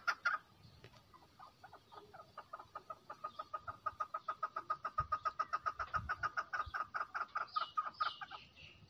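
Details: A female chukar's clucking call builds from scattered notes into a quick, regular rattle of short syllables, with a few thumps and higher squeaky notes near the end.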